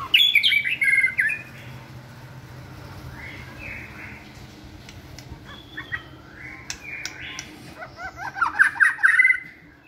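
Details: White-rumped shama singing in a flight cage during fitness training: loud warbled phrases at the start, softer distant notes through the middle, and a final burst of rapid, bright repeated notes.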